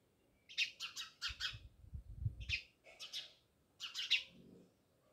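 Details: Several house sparrows by a village house in Jamnagar chatter in rapid runs of chirps, two or three notes at a time, over a brief low rumble.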